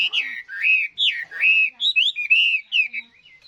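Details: Chinese hwamei, caught wild as an adult and described as a good singer, delivers rich whistled phrases. Each slurs down or up, and they are strung together with short gaps.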